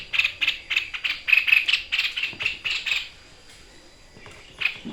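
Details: White-chested babbler singing in the 'tembakan' shooting style on a training recording: a quick series of dry, ticking rasps for about three seconds, quiet, then a single harsh note.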